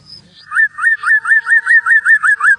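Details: White-rumped shama song for luring other birds: about ten evenly spaced arched whistles, each rising then dropping, repeated roughly every quarter second over a faint high tone.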